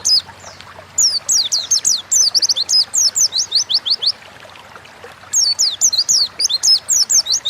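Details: Ngalas-style song from an Oriental white-eye, meant to provoke other birds into singing: a single faint note, then two lively bursts of high, rapid, falling chirps with a short silent gap between them.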